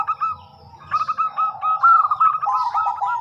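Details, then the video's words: Zebra dove of local type singing to lure other doves into replying: a rapid, bubbling run of short mellow coos that speeds up, with faint high chirps overhead. "Perkutut Lokal Gacor Suara Super Kristal - Pancingan"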